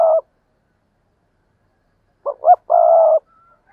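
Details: Decoy spotted dove giving fierce cooing calls used to provoke wild doves: a brief low coo, a pause, then two short rising notes and a longer, even, throaty coo, all mid-pitched and clean.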